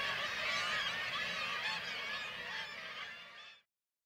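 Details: A dense chorus of harsh, nasal, overlapping kittiwake calls from many birds at once, loud and continuous for about three and a half seconds, at a breeding site in Varanger, Norway, where white-tailed eagles hunt kittiwake chicks.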